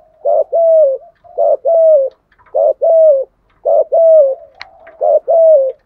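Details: Spotted dove kept as a lure, cooing in the thúc gù manner to stir wild birds; repeated two-part hollow coos, clipped then long and slightly descending, coming evenly about once a second, one faint click.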